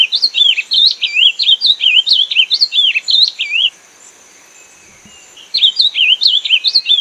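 Ultramarine grosbeak singing a rapid, warbled run of sweet up-and-down notes for over three seconds, then a pause, then the phrase resumes.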